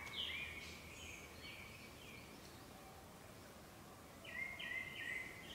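A Japanese paradise flycatcher gives two bursts of bright, slurred mid-high notes, the second about four seconds after the first, over a steady outdoor hiss.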